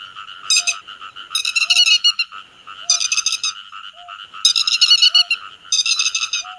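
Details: Grey-headed lapwing flock call, used as a lure for bird netting: loud, raspy rattling bursts about every one to one and a half seconds, layered over a continuous buzzy chorus, with a faint short whistle between bursts.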